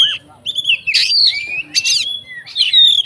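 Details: Fighter Oriental magpie-robin sings to goad rival magpie-robins with bright sliding whistles, a long falling whistled note and two harsh buzzy bursts in a short burst of varied song.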